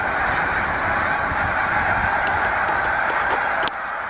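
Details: Spring migration rest stop of large Snow Goose flocks, Cayuga Lake, New York, 20 March 2021: a thick wall of honking, with scattered clicks and the sound dropping slightly in level near the end.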